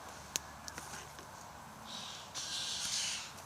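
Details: A flock of white-winged choughs, around 60 to 70 birds after a meal of kangaroo, swells into a sustained grating, hissing chorus after a few sharp clicks.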